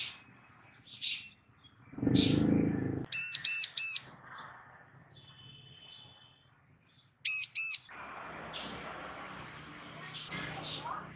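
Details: A female bar-winged prinia calls for a male to reply. Three bright, piercing, high notes in a rapid burst, a pause of several seconds, then two more, with soft scattered chirps and a low thud between.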